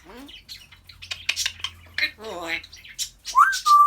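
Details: African grey parrot talking and chatting away, mimicking human speech: rapid burst of speech-like babble and squawky syllables, then a sharp rising whistle sliding into a clear, steady high whistle at the end.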